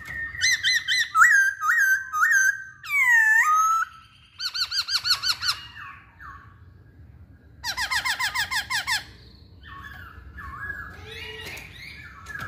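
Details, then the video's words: Masked laughingthrush in busy song: looping clear whistles, a loud arched harsh cry, fast stuttering note trains with many overtones, then softer chattering slurs. "Burung Poksay Hongkong Gacor"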